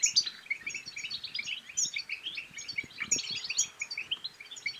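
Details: European goldfinch song from Morocco, used to get a silent goldfinch singing and to spur mating. Fast, jingling twittering runs on continuously, with repeated high sharp notes, and a faint low background.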